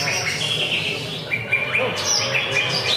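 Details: Greater green leafbird at a weekly Friday practice bird-singing contest, giving short clear whistled notes and upward-flicked phrases, a few loud sharp accents, amid steady chatter from other contest birds.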